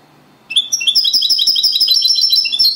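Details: European goldfinch, a singing-contest runner-up, delivers copia Malaga song: after brief silence a continuous, dense stream of high, sweet, rapidly repeated chirps and trills runs to the end.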